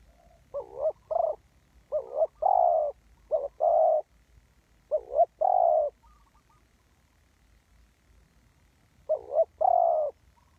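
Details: Spotted dove used as a ground lure for trapping. Several rapid phrases of wavering, double-noted coos, each ending in a longer coo, then a quiet gap before one more phrase.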